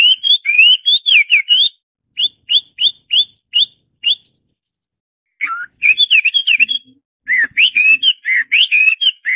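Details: Hwamei (Garrulax canorus) song: fast warbled whistles, a run of crisp repeated notes, a pause, then more rich, varied rising and falling phrases; faint low sounds in the background.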